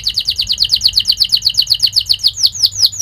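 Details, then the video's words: Canary training song for young birds: a rapid, even series of short chirps, about six per second, slowing at the end into longer downslurred whistles. "Kenari gacor Speed Tajam cuit cuit NgeroL | pancingan kenari ini Sukses bikin kenari Ngerol EMOSI"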